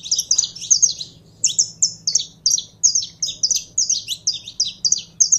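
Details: Kept saffron finch getting into song: rapid runs of bright, high chips and short downslurred notes, delivered in steady clusters with brief pauses, a low steady hum underneath.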